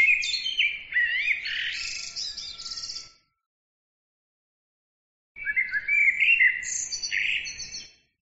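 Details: Songbird giving two long, busy phrases of mixed high chirps, trills and warbled notes, each about three seconds, separated by a couple of seconds of silence.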